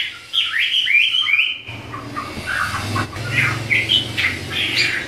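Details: Chinese hwamei, a pair kept as songbirds in duet: bright slurred whistles at the start, then softer scattered whistled notes over a steady low hum.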